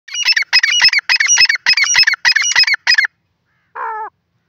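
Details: Francolin, known locally as dakhni teetar, giving a rapid series of loud, harsh, ringing notes in close bursts for about three seconds, then after a short pause a single lower, shorter note.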